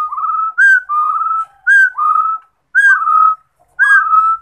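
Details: Rufous-throated partridge song: loud whistled phrases, each a rising slur into a long even whistle, about four in sequence with brief silences and sharp clicks at onsets.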